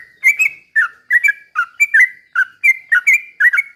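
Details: Steady stream of bright, bubbly whistled slurs from a sooty-headed bulbul singing 'ropel pelan' style as a lure for other birds, notes paired and repeated about three times a second.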